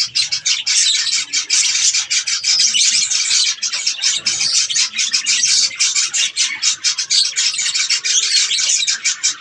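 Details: Budgerigars chattering while eating strawberries, a dense unbroken stream of rapid scratchy chirps and squawks, high and busy throughout, with several birds overlapping.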